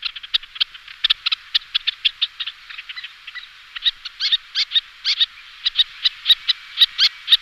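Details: Little tern lure call: fast, uneven chattering of short high kik notes, several birds or rapid repeats overlapping, growing louder and sharper toward the end.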